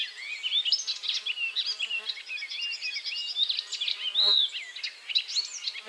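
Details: Song of an icterine warbler that keeps singing after catching a caterpillar: a restless medley of whistled slurs, squeaky upward notes and brief chattering bursts, with one loud rising-falling whistle toward the end.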